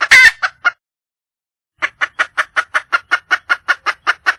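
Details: Wild junglefowl hen seeking a male opens with a loud, harsh squawk and two clucks, falls silent over a second, then resumes with a rapid, regular run of about fourteen clucks.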